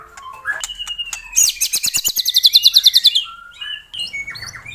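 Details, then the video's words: Played to coax a captive bird, white-rumped shama song with scattered whistles, then a loud rapid trill of about sixteen pulsing notes, followed by soft twittering. "Suara Pancingan Burung Murai Batu Agar Bunyi RESPON CEPAT"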